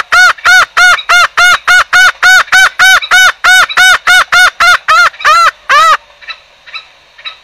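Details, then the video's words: Green junglefowl sound used as a lure for trapping birds: a fast, steady run of about sixteen short nasal honking notes, roughly three per second, ending abruptly, followed by faint distant echoing notes. "suara pancingan ayam hutan hijau"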